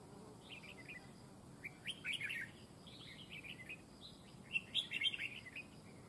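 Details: Decoy red-whiskered bulbul in a fight trap giving quick chattering phrases of bright warbled chirps, several bursts close together, with a faint steady hiss behind.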